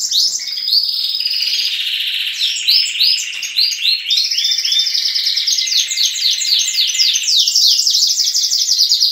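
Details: Morning chorus of canary chicks and adult canaries in a breeding room, a dense continuous tangle of high trills, buzzy rolls and repeated chirped notes from several birds singing at once, steady and loud throughout.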